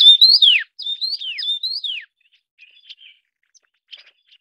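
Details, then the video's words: Taiwan yuhina feeding young: three quick whistled phrases in the first two seconds, each level-rising then falling, followed by quiet, faint scattered chips. "冠羽畫眉-育雛/Taiwan Yuhina-- Feeding chicks"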